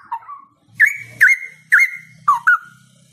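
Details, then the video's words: Straw-headed bulbul song of loud, mellow, gurgling whistles, five strong phrases in quick succession, each with a sharp start and a slurred falling tail, over a steady low hum. "Gacor!! Cucak Rowo Gacor ini Bikin Cepat Cucak Rowo Lainnya Ngeplong"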